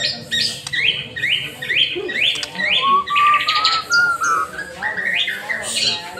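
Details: White-rumped shama singing vigorously, used to rouse other birds to sing: a series of repeated rising whistles, a long smooth gliding whistle, then more rich warbled phrases, with a low hum underneath.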